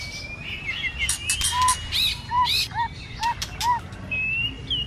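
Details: White-rumped shama stirred up to sing its intense, many-voiced fighting song in the cold season, with tail flicking: clear whistled slurs and rising loops mixed with sharp dry clicks, ending on a long high whistle.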